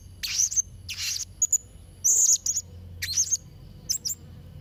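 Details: Blue-crowned hanging parrot in full song, used to tutor young birds: thin, piercing high squeaks and scratchy bursts at irregular intervals, some notes drawn out briefly, with a soft low rumble underneath.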